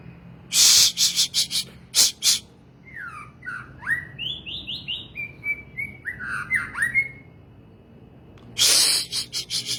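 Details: White-rumped shama (murai batu) delivering a flowing sequence of sweet whistled notes that dip and rise, about a dozen phrases in quick succession. Loud crackling noise bursts come before the song and again at its end.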